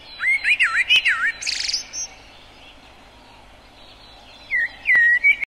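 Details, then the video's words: Common blackbird song: several wavering, looping whistled notes in quick succession, a buzzy, high twitter, a pause, then a fresh fluted phrase rising at the end. "O Canto do MELRO PRETO (Turdus Merula) Bird Song - Blackbird, Mérula"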